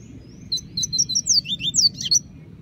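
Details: Rusty-collared seedeater singing in the bush, a rapid run of bright whistled notes with paired downward slurs and a short buzzy ending, over steady low background hum.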